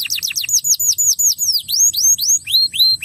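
A crested canary sings a rapid run of bright, sweeping whistled notes, about four a second, some sliding down and others rising, with faint low background hum.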